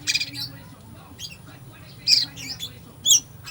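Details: Fill-in-rich song of an Oriental magpie-robin, meant to provoke a slow bird. A harsh opening burst is followed by a quiet gap, then sharp, scratchy high phrases with a whistled glide near the end. A low hum persists.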